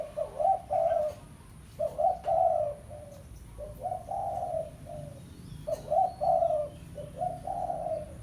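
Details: Spotted dove, pesom type, calling to challenge a rival for luring: repeated mellow cooing phrases, each a quick run of soft notes rising into a longer drawn coo, with brief gaps between, faint background hum.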